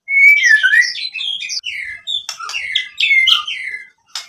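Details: White-rumped shama singing a lure song meant to provoke rival shamas into answering: a dense, unbroken run of rich whistled phrases sliding up and down, ending in rapid high clicks and a final sharp note.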